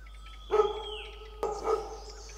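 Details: A red-billed blue magpie foraging confidently on the ground among oak trees at Motidhar, Mussoorie, India, gives two harsh, rasping calls about a second apart, its raucous challenging call, over a faint steady background hum.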